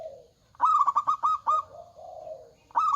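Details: Local zebra dove singing loudly, used as a lure recording to draw other doves into singing: a rapid run of about six clear, staccato whistled notes, then a lower, drawn-out purring tone, and one more bright note at the end.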